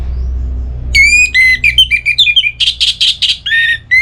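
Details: Orange-headed thrush in breeding condition calling a rival: a dense, varied phrase of loud slurred whistles and harsh buzzy bursts follows a brief quiet start, with faint low hum beneath.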